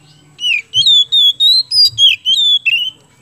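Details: An Indonesian kept Oriental magpie-robin singing as a prompt for other birds: a continuous chain of loud, clear whistles about eight notes long, each sliding slightly, fluent and bright, with only a faint low hum behind.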